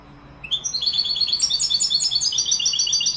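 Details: European goldfinch, Moroccan recording of Málaga-style song: after a brief quiet start, a continuous rapid chatter of bright high chirps and trills, evenly pulsing, fast and unbroken to the end.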